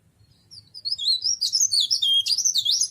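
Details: High, sweet and hurried warbling from a mountain leaf warbler, starting softly and building into a dense stream of sliding, piercing notes, over a low hum.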